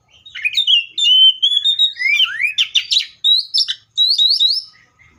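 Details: Loud, continuous Seychelles magpie-robin song of sweet whistles, with long level notes leading into rapid rising slurs and brief rattling bursts, repeated in quick succession against a quiet background.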